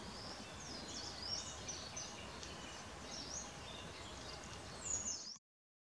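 Ashy minivet giving thin, high, ringing trilled notes in quick bursts every second or so, over steady wind or traffic hiss.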